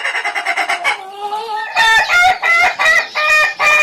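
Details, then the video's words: Indonesian Ayam Ketawa rooster giving its laughing crow, a string of quick pulsed notes followed by louder, separate harsh syllables repeated about every half second. "Suara Kokok Ayam Ketawa yang Lucu dan Unik"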